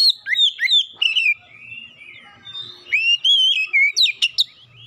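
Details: Oriental magpie-robin (kacer) song for encouraging a mute bird to sing: a rapid, varied run of loud whistled slurs, sharp downswept notes and warbles, with short pauses and faint low hum beneath.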